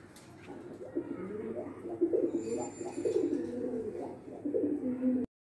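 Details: Young white pigeon being trained to do tricks, heard in a small room: soft, low, warbling coos run almost without pause for about five seconds, rising and falling slightly, then stop abruptly.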